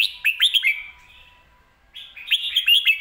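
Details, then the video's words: Caged red-whiskered bulbul song in a clear, fast style: two bright phrases of quick rising-and-falling whistled notes, each phrase about a second long, separated by a short pause. "สำนวนดี"เดินเพลงชัด ปากไวเสียงชัด#เสียงนกกรงหัวจุก"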